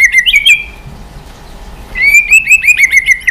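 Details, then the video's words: White-rumped shama provoked into intense dây yến singing with continuous tail flicking; a short whistled phrase, a quiet pause, then a long string of rapid, ringing, slightly wavering whistled notes. "Chòe Lửa kéo dây yến đảo giọng đập đuôi liên tục. kích Chòe Lửa hót căng."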